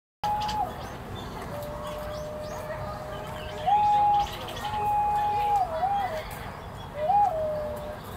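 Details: White-bellied green pigeon at Ueno Zoo, Tokyo, on 5 April 2023, singing before preening: long, mellow, ocarina-like whistles that slide and step up and down in pitch, over a soft murmur of background noise.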